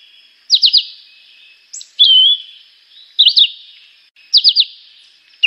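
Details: A juvenile chivi vireo sings short, high phrases of two or three quick slurred notes, repeated about once a second with brief pauses; no other sounds.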